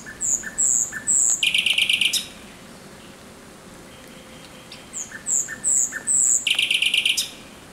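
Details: Thrush nightingale song at night on 17 May 2023: high piping whistles followed by a fast, harsh rattling trill, a pause, then the same whistle-and-rattle phrase repeated.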